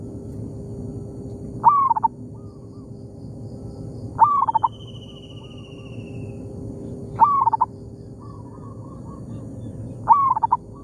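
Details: Local zebra dove in an oil palm plantation, calling back and forth with a decoy bird: four loud phrases about three seconds apart, each a rising note and a quick run of soft, even coos, with fainter answering phrases between and a thin descending whistle.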